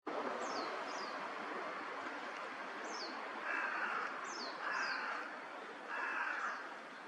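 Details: Northern pintails, wintering ducks in a park pond at Junsai-ike green park, Chiba, Japan, in February, give three short, wheezy, nasal calls over a steady rushing background, with thin, high, falling chirps from other birds between.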